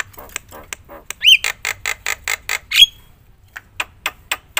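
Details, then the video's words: Loud, full-repertoire song of a Javan myna meant to provoke other mynas: short scratchy clicks, a sharp rising whistled note, then a steady series of harsh rasping chacks, fading to scattered sharp ticks. "suara KERAS jalak kebo gacor full isian bikin semua burung jalak emosi gacor"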